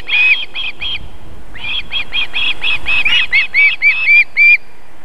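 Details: Osprey female at her Estonian nest near a fish farm, feeding young on an evening in late July: three quick whistles, a pause, then an accelerating run of high chirps ending in spaced, louder yelps.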